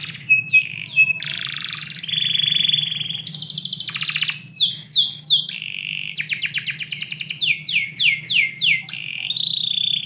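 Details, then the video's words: Indoor canary in morning song, switching between short whistles, held steady tones, buzzy rolling trills and a string of quick descending sweeps, with a soft low hum underneath. "KICAU BURUNG KENARI - DIPAGI HARI DALAM RUMAH"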